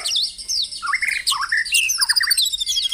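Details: Morning song of the White-rumped shama, used to get caged birds singing: a dense burst of quick whistled slurs and twisting notes, with high rattling trills running over the lower phrases.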